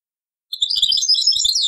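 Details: European goldfinch song taken from an old cassette: after brief silence, a fast, dense stream of high tinkling, twittering notes.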